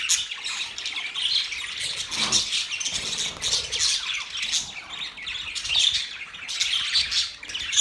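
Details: Relaxing parrot chirping: a steady stream of high, rasping chirps and squeaky squawks from more than one bird, rising and falling in loudness across the clip.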